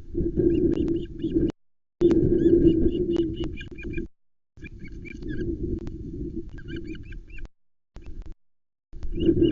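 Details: Female osprey at a nest in the Arkaig Community Forest, Loch Arkaig, 12 July 2020, alarm calling at an intruder while chicks lie flat. Rapid series of short, high, sharp chirps repeated over a heavy low rumble of wind, with brief dropouts.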